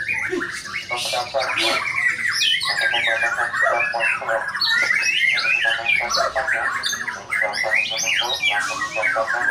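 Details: White-rumped shama performing: a long run of harsh, rapidly repeated rattling notes mixed with higher squeaky whistles, steady and loud throughout.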